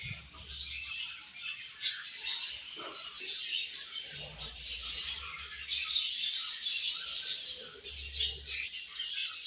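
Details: Chirping budgerigars during the morning feed, many birds twittering at once in a constant high, scratchy chatter punctuated by sharper bright chirps.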